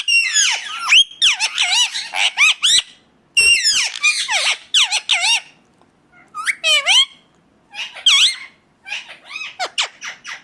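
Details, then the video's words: Indian ringneck parakeet in natural voice, producing rapid runs of shrill, chattering squawks with swooping notes, interrupted by short silences. "ringneck 🦜 natural sound"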